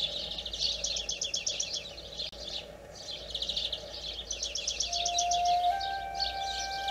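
A European greenfinch sings in bursts of fast, twittering trills, several per second, broken by short pauses; a steady whistle-like tone enters near the end.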